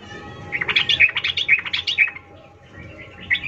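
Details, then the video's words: Female sooty-headed bulbul calling to the male: a lively one-and-a-half-second string of quick warbled chirps, then softer scattered notes fading out. "Trucuk BETINA memanggil jantan Ful Ngecuplik EMOSI"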